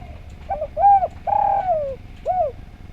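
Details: Spotted dove song from a recording meant to train other doves: a short lead note, then three full, mellow coos, the second long and gently falling, the last brief and curved.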